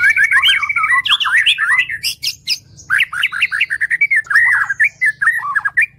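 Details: White-rumped shama (murai batu) in full song, used as training song for other birds: dense, rapid runs of varied whistled and chattering notes, loud and nearly continuous, with sharp upward slurs and brief gaps.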